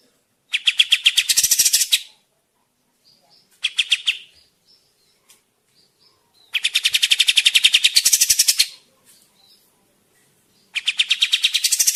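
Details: Kapas tembak bird song, used as a lure for forest trapping: four separate bursts of dense, rapid, buzzy chattering, each lasting a second or two, with quiet gaps between.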